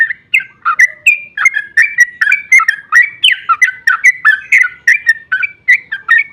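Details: Sooty-headed bulbul in a 'ropel panjang' song, meant to trigger other bulbuls to sing back: a continuous rush of short whistled notes, several per second, with a warbling, liquid quality and no background noise.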